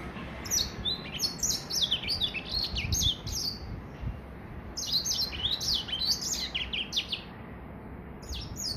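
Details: Gray Finch x Lemon Breasted hybrid at three months giving its first complete song: two long runs of rapid high twittering separated by a short quieter gap, then a brief restart at the end.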